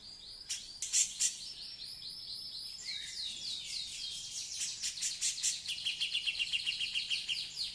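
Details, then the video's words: A female grey-cheeked bulbul that has laid eggs before gives a busy, high chattering song of quick repeated notes, rising into rapid bursts toward the end, over faint background hiss. "Cucak Jenggot cewe / betina gacor"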